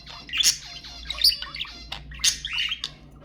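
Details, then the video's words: Budgerigar chatter used to stimulate budgies: dense buzzy warbling with bright squawks near the start, middle and end, continuous twittering filling the gaps. "أقوى أصوات البادجي المحفزة"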